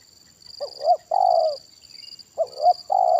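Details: Spotted dove at a decoy trapping session, two deep phrases each made of a short rising-falling note and a long steady coo, accompanied by a continuous high whine.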